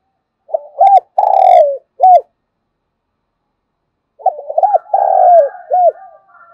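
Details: Spotted dove kept as a decoy for calling wild doves, giving two full coo phrases: quick soft opening notes, a drawn-out rolling coo that slides down, and a clipped last note.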